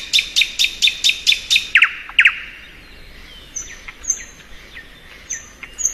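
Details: Spring song of a thrush nightingale: a quick run of about eight loud clicking notes, two rasping buzzes, then softer high thin whistles spaced about a second apart.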